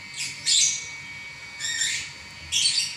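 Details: Lovebird giving three harsh, shrill squawks, each a short buzzy burst, spaced about a second apart.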